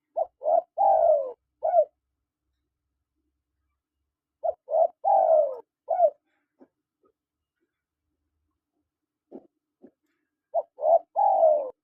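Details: Spotted dove calls from a male and female: three similar phrases about five seconds apart, each a few quick stepped notes leading into a falling coo and a final clipped note, with silence between.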